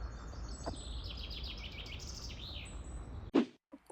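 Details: Male common chaffinch singing in spring in the walled oak-forest game reserve Obora Hvězda, Prague 6: a fast run of bright, descending notes speeding up and ending in a flourish, then a sharp knock and background hum.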